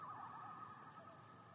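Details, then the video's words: A common loon calling at night on a lake gives a sustained, mellow, slightly wavering tone that holds steady at a mid pitch, with soft background hiss. "Loon Call At Night, Common Loon Call"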